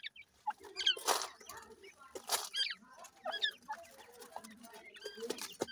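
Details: Grey francolin chicks giving rapid, thin chirps and curved whistled notes, several overlapping, among broad scratchy rustles and taps.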